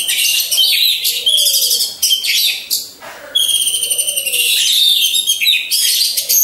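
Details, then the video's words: Caged orange-headed thrushes hung in a row produce long strings of high, rapid, trilled notes with sharp whistles, broken by a brief lull; low cooing notes drift in the background. "Pancingan Burung Anis Merah"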